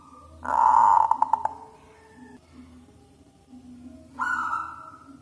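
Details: Zebra dove of local wild stock, loud-voiced, singing for luring other doves: one short harsh rolling coo with a few clicking pulses, then a quiet gap and a drawn-out hoarse note.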